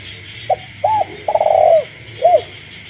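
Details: A kept spotted dove coos at night in the countryside, one phrase of short note, rounded hoot, long vibrating coo and a final arched note, with frogs calling constantly behind.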